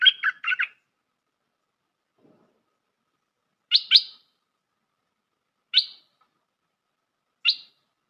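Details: Bulbul lure for trapping: a fast chattering phrase at the start, followed by single sharp high chirps spaced about two seconds apart.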